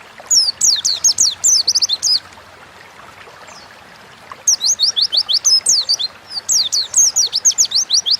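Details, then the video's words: Oriental white-eye delivering lively ngalas song for a lure recording: a two-second flurry of high slurred chirps, about two seconds of quiet, then a longer run of rapid falling notes. "Burung pleci gacor ngalas"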